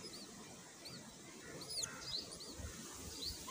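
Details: A mother myna brings food and feeds her baby, with thin, high, arching chirps and a few sharper squeaks against a steady low outdoor rumble.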